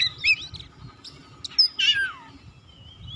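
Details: Singing Oriental magpie-robin, song meant to rouse other birds to sing: quick rising and falling whistles, a long descending slurred note, then a thin high drawn-out whistle, with a soft low background rumble.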